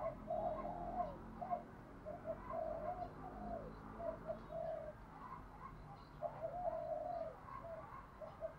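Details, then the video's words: Spotted dove singing in the Thổ voice style, used as a decoy to lure wild doves: repeated low cooing phrases, soft and rather faint against a steady background hiss. "Cu gáy giọng THỔ kích mồi gọi bổi"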